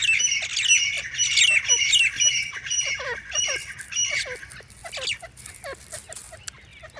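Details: Grey francolin, locally called teetar, giving loud, harsh, squawking calls with many quick downward-slurred notes at roughly two per second, fading toward the end.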